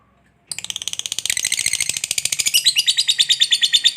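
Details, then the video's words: Fighter lovebird's long chattering ngekek song, meant to trigger other lovebirds to sing: starts abruptly after a short pause as a dense, rapid, high chatter that slows slightly into evenly spaced buzzy notes. "SUARA BURUNG LOVEBIRD NGEKEK PANJANG"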